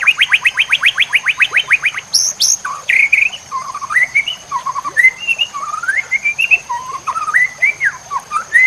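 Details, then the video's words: Masteran of White-rumped shama song for training songbirds, full-fill version: a fast rhythmic series of about sixteen rising-falling notes, a sharp high burst, then a long run of varied fluty whistles. A continuous high hum is audible. "Masteran Murai Batu Full Isian – Bikin Burung Gacor, Fighter, dan Mental Juara"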